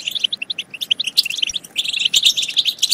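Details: European goldfinch song used as a stimulus for singing and mating; it opens with separate spaced chirps, then breaks into a dense, rapid twittering flourish.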